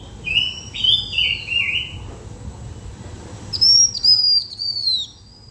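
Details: Blue-winged minla song used for luring birds: a series of warbled whistled notes stepping down, then after a pause a high, long, gently falling whistle, over low background rumble.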